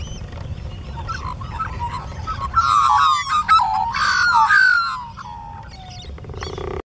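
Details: Carolling flock of Australian magpies in suburban Lota, Brisbane bayside: several birds at once in a loud burst of warbled, gurgling fluty notes mixed with harsher tones, swelling in the middle and fading, with low rumble underneath.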